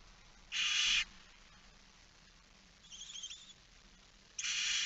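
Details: Nestling barn owl alone at the nest on 9 September 2019, 20:09, with two harsh broadband hisses separated by a quieter chittering burst, over a faint hum.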